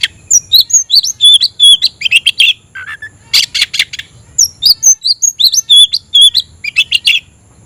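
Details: Kept oriental magpie-robin (kacer) singing to call a rival to fight: varied, rich song mixing clear twisting whistles with harsh buzzy bursts, delivered in rapid phrases almost without pause.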